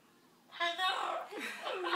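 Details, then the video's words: An excited pet Amazon parrot greets its owner arriving home from work indoors with a burst of throaty, chuckling, speech-like chatter in a rising and falling sweep; a person speaks faintly. "Amazon bird happy to see papa"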